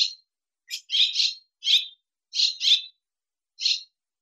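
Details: Swallow from Russia giving short, high, buzzy chirps, some paired together, spaced irregularly about once a second in a quiet setting.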